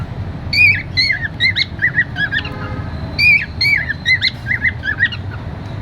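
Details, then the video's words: Cheerful cockatiel singing a whistled phrase of rising and falling squeaky notes, then pausing and repeating the same phrase about two seconds later. "happy cocktail #cute singing"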